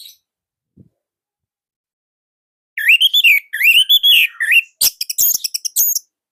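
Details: Orange-headed thrush song from Indonesia in a loud, tight style used as a training master for other birds: a run of rising, slurred whistles followed by rapid high chirps.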